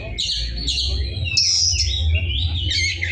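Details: Oriental magpie-robin in full harsh-voiced song, giving fast chattering and sweeping whistled phrases, some rising and some falling, with a constant low-pitched hum underneath.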